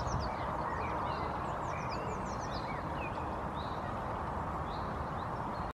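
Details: Two common starlings foraging on a lawn in Helsinki, Finland, in April 2022 give scattered high chirps, squeaks and short slurred whistles, overlapping, over a loud, steady low rumble.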